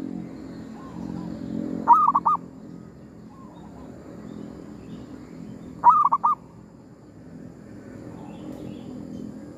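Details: Zebra dove used to lure wild doves, recorded while hunting at a cemetery. Two loud phrases of stuttering soft coos about four seconds apart, with fainter distant coos answering between them.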